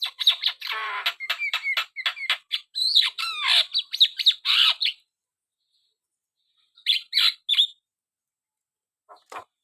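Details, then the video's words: Javan myna in full song: a long stream of harsh chatters, squawks and whistled slurs for five seconds, then a pause, a short burst of scratchy notes, and one faint call. "burung jalak kebo gacor"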